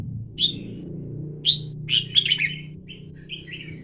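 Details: Red-whiskered bulbul calling: two sharp, high chirps, then a quick rolling chatter of warbled notes and a few soft whistled phrases, with a steady low hum underneath.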